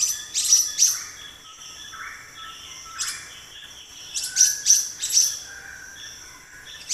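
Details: Black-naped monarch uttering repeated piercing high chirps in rapid pairs and triplets, while softer lower whistles from other birds sound in the background outdoors.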